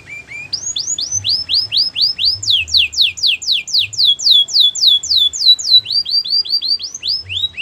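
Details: Gloster canary delivering a continuous run of rapid swept whistles, rising and falling in pitch, with a few lower notes at the start.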